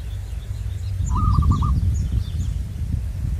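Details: Local zebra dove from the wild, the type trapped with decoys, utters one brief phrase of quick stuttered cooing notes amid strong low wind rumble.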